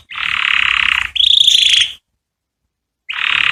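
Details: Canary song meant to stir females to mate: a fast buzzy trill held for about a second, then a brighter, higher rolling phrase that fades out, a pause, and the low trill starting again.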